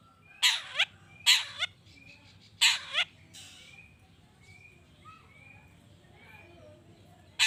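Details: Long-tailed shrike meant to draw answers from other shrikes: three harsh doubled rasps in the first three seconds, then several soft rising whistles from other birds and one final burst.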